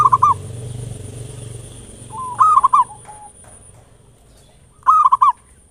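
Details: Local zebra dove lure song, ngayer nulop style, used to excite singing: three quick bubbling coo phrases separated by pauses of over two seconds, with a softer trailing coo, over a low rumble and thin high whine.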